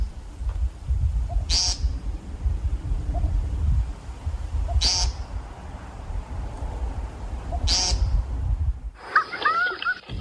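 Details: An American Woodcock about 20 feet away gives three short, nasal, buzzy peents about three seconds apart over low rumbling wind noise, with a brief different sound at the end.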